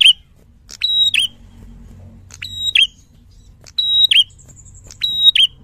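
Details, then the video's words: Black-throated bushtit (prenjak kepala merah) singing loudly and energetically in a clear tutor recording: high, thin whistled notes sliding down in quick pairs about every second, with one longer level whistle over a faint low hum. "Prenjak Kepala Merah Gacor Fighter Lantang"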